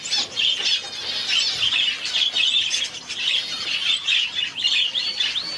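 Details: Society finch chick, one day old, hand-fed without a syringe: continuous high, thin, rapid begging cheeps with buzzy wavering notes, near-constant throughout.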